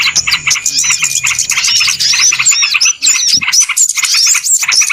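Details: Lure sound of small birds for trapping: fast chattering pulses with curling whistles, the chorus thinning after halfway into separate sharp chirps and high squeaks.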